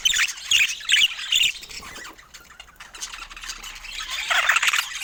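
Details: Budgerigars in Scandinavian daylight: a burst of harsh, scratchy squawks and chirps at the start, a quieter lull in the middle, then another rough chattering outburst near the end.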